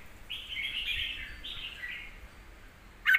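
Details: Red-whiskered bulbul singing a deep-voiced song used to teach young birds: two smooth, rolling warbled phrases, the second slightly descending, followed by a quiet pause and a sudden sharp note.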